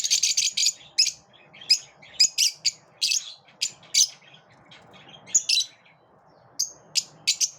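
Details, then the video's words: In the morning, lovebirds call with a quick cluster of harsh chirps, then evenly spaced bright squeaky notes and a few final high chirps after a short lull. "Love birds chirp beautifully in the morning"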